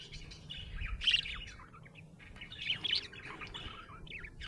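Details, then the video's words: A happy budgerigar chirps in two clear bursts of high, squeaky warbled notes with short trills between them, over a quiet low hum. "Happy budgie chirping sound"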